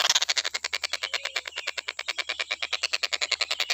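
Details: Stork-billed kingfisher, recorded for teaching other birds to sing, giving an unbroken run of fast, rasping pulses at roughly three and a half per second, with a constant high hum behind.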